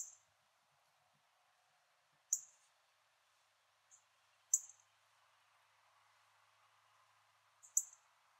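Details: Yellow northern cardinal, an unusual colour variant, calling in a backyard in Port Saint Lucie, Florida, filmed with an iPhone: short, sharp, high metallic chips given singly or in pairs every one to two seconds against near silence.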